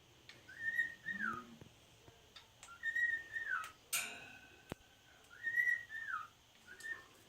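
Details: A male pet cockatiel talks to his stuffed penguin, whistling short, slurred phrases that rise and then fall, repeated every couple of seconds.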